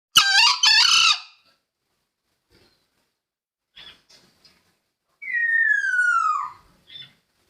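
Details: Green junglefowl giving a loud, hoarse two-part crow, a clipped first note and a longer grating second, for use as a trapping lure; a clear falling whistle from another bird follows later.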